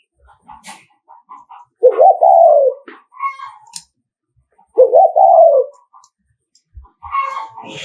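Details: Spotted dove from Nghệ An, a decoy bird giving the 'thúc gù' coo used to provoke rival males: two loud, low, throaty cooing phrases about three seconds apart, each a quick stutter sliding into a drawn-out falling note, with faint chirps between.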